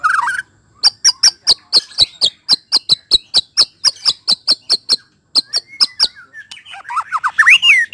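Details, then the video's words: White-rumped shama sound meant to coax the bird into singing its full repertoire: a long run of sharp, high ticking notes at about four per second, ending in a flurry of sliding whistles. "TERNYATA SUARA INI DPT MEMANCING MURAI BATU CEPAT BONGKAR ISIAN"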